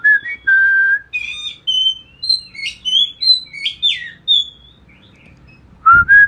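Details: Ngeplong bird song used to train a magpie robin: loud whistled notes open and close the phrase, with a quick run of high, clear, varied whistles between them.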